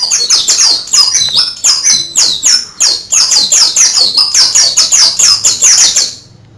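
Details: High, shrill twittering from an Oriental white-eye imitating canary song, with quick descending chirps in a steady stream for about six seconds before falling silent.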